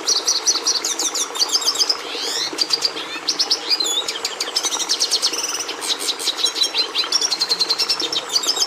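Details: Energetic Red siskin song: dense, high-pitched twittering with rapid chirp series, sweeping slurred notes and buzzy trills, running almost without pause over a steady low hum.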